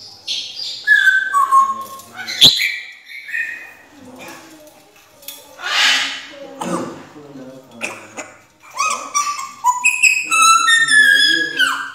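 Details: Talking African grey parrot mimicking human speech: a long, busy run of word-like bursts, whistled glides and falling tones, with a sharp click near the start and some kitchen-like clatter.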